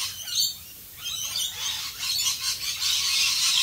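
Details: Rainbow lorikeets, Australia, heard in rain: rough high squawks and chattering notes, rising into a dense continuous screech toward the end, rain hissing underneath.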